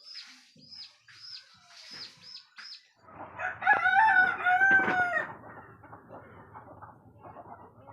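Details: Rooster crowing at daybreak, heard on waking; after three seconds of rapid, repeated high bird chirps, a loud, harsh, strongly harmonic crow swells and holds for about two seconds, then fades into softer clucking and background noise.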